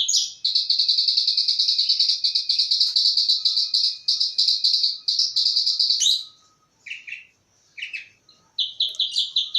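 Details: Krece song of a caged bush lark: a long, rapid, even trill of high chirps lasting about six seconds, then short separate chirp clusters and a final quick trill.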